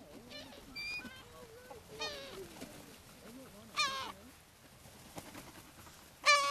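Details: Several gulls at a beach feeding in Brean Sands, Somerset, England, April 2013: wavering low mews and rising wails, with a sharp loud squeal near the end and faint human voices in the background.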